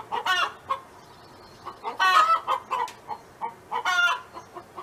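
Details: Farm hen owned by a neighbor, singing: three loud, harsh, drawn-out squawks about two seconds apart, linked by quieter, evenly paced clucks.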